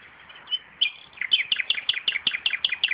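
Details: Common nightingale singing beside tomatoes in a home garden during tomato planting: a few high whistled notes, then a fast, even run of about ten sharp, down-slurred notes repeated in quick succession.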